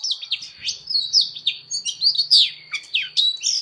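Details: Oriental magpie-robin fighting song, sung as voice training: bright whistled phrases and sharp downslurred notes in quick bursts about once a second, a constant high whine beneath, and a faint low rumble in the background.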